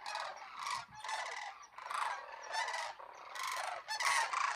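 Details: Local cranes in Homer, Alaska, in September before migration, flock up and down into the air all morning: bursts of rattling, trumpeting calls come in waves about once a second, several birds overlapping.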